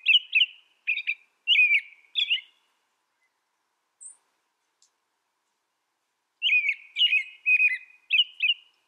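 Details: American robin caroling in two bursts of four or five short whistled phrases, separated by a few seconds of silence with one faint high note between.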